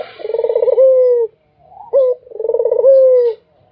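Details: Two throbbing, rolling coos from a Barbary dove, each easing into a long, gently sinking tone. A brief clipped coo sits between them, and the background is quiet.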